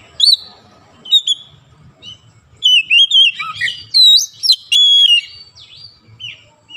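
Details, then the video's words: Magpie robin prompted once and immediately singing gacor: scattered sharp whistles, then a dense run of rapid, rising and falling whistled notes and trills in the middle, easing off to short chirps. "sekali pancing Kacer langsung on buka paruh gacor"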